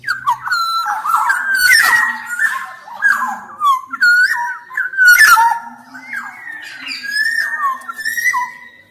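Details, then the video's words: Black-naped oriole in sustained, busy song: repeated liquid whistles that dip and rise, interleaved with harsh rasping squawks, flowing almost without pause for nine seconds. "Kicau Suara Kepodang Emas Gacor"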